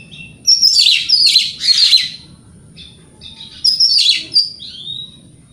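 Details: Lure song of a white-rumped shama meant to provoke rival shamas into singing: loud bursts of harsh, chattering, buzzy notes mixed with short whistled slurs, two main bursts separated by a quieter gap; a soft low hum in the background.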